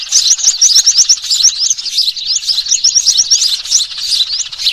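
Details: Sparrows used as a lure for trapping small birds, recorded 3 June 2023: a dense, busy chorus of high, rapid chirps and twittering notes overlapping continuously, with many birds calling at once.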